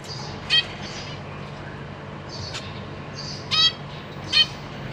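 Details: Captive zebra finches, parents feeding six young in April 2023; three brief nasal beeps, one early and two close together near the end, with faint soft chatter between.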